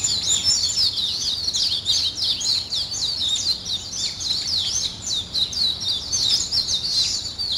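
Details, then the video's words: Morning birdsong at daybreak, a busy chorus of high, fast twittering notes running together without pause over a soft low background hum. "아침을 깨우는 새소리 2 ,Birds wake up in the morning 2"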